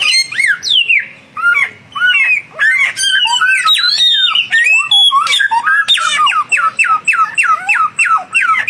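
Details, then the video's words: Samyong duel between a young and a mature bird: busy, varied whistled song with sweeping slurs, ending in a fast run of repeated short downslurred notes. "samyong muda vs samyong mapan duel gacor"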